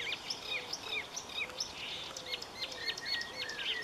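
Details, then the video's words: Marsh warbler (Acrocephalus palustris) singing a fast, varied stream of high chirps, trills and slurred whistles, phrases changing rapidly with little pause; a species known for mimicking other birds in its song. "Marsh Warbler"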